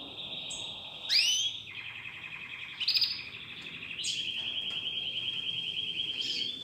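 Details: Domestic canary singing along during song training with played recordings: long buzzing trills at a steady pitch, broken by a few sharp swooping whistled notes.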